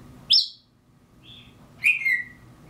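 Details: An African grey parrot imitates mockingbirds with a high sharp chirp, a soft short whistle, then a loud descending whistled note, all over faint room hum.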